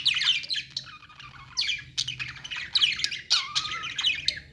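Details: Chattering budgerigars in a pet store: quick chirps, squeaky notes and a wavering whistled tone late on, mixed voices overlapping above a low continuous hum.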